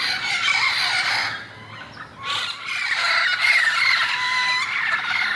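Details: Harsh, grating squawks from wild parrots in Irvine on November 1, possibly a mating pair, forming a dense screeching chorus with a short lull midway before resuming loudly.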